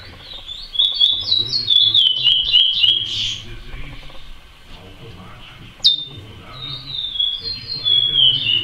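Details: Chestnut-bellied seed finch, known as curió, singing praia-style song: a rapid, lively phrase of whistled sliding notes with some clicks, a quieter gap, then a sharp note and renewed soft whistled phrases.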